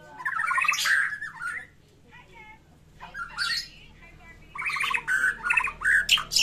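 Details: White-rumped shama in fighting mood with a rich varied song: three bursts of fast chattering and warbled whistles separated by brief pauses, the last burst long and dense, over a faint steady hum.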